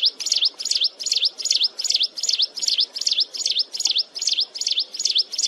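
A wren sings a shrill, ringing series of high down-up notes, about two and a half per second, repeated steadily without pause.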